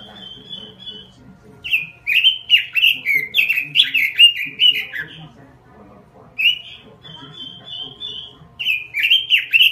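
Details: Robin kept in a small cage, singing gacor (vigorously): a steady high whistled note, then rapid warbled phrases of sliding, bubbling notes from about 1.6 to 5 seconds, a pause, and another whistle-and-warble phrase; faint low hum behind.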